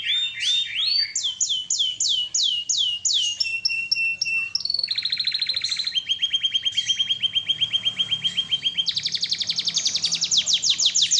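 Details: Canary on a master recording, singing lively (gacor) song: slurred rising-falling notes repeated rhythmically, then shifting into sustained rapid trill tours at several pitches, each a fast even rattle of pulses, clean and continuous.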